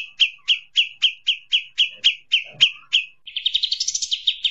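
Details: A cotton pygmy goose gives about ten sharp, high chirps at roughly four per second, then breaks into a quicker rolling chatter.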